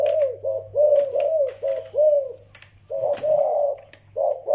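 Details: Young Malay zebra dove calling alongside an older Vietnamese decoy dove: quick strings of short, arched, rolling coos, a brief pause, then more coo bursts, with a constant low hum behind.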